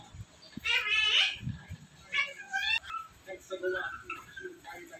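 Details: Indoor Indian ringneck parrot saying a word in a loud, buzzy, high-pitched voice, followed by a second shorter phrase and softer chatter, with a person's low voice in the background.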